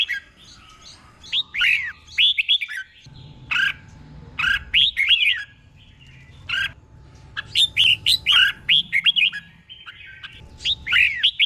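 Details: Doubled song phrases from a caged red-whiskered bulbul tutor: repeated bursts of chirpy, slurred whistles, some with harsher squawk-like notes, over a steady low background rumble.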